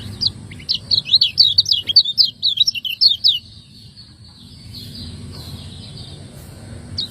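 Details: Lemon-bellied white-eye (kecial kuning), a Lombok bird, in a 'ciak ngejos' style master recording for training caged songbirds: a fast burst of high, sharp chirping notes about two seconds long, then quiet with a low background hum.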